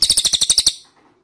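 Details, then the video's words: A short burst of eight quick, high chirps from an ashy tailorbird, played as a lure for birds to reply. The series stops abruptly, followed by faint low background sound. "PANCINGAN CILILIN DIJAMIN NYAHUT"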